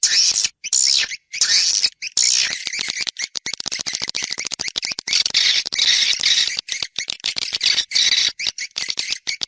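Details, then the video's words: Swiftlet external sound track from 2020: harsh, high twittering in long bursts broken by short silences, becoming a rapid stutter of clipped chirps. "Free Swiftlet External Sounds"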